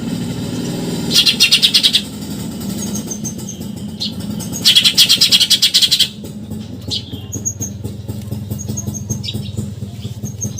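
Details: Eurasian tree sparrow delivering nyerecet chatter, recorded as training material for contest songbirds: two buzzy, rapidly pulsed rattles stand out over steady engine and traffic noise, followed by scattered thin chirps.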